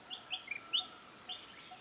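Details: Five greater necklaced laughingthrushes in Thailand, preening each other, give about six short, high squeaky chirps in under two seconds, some slurred upward, over a faint steady hum; other laughingthrush and bulbul species also heard.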